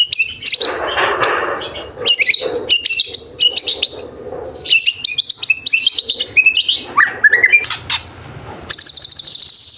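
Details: Murai Batu, the white-rumped shama, giving full isian and tembakan for training other birds: bursts of sharp high chips and chatter, a rising whistled run, and a final rapid even ticking series.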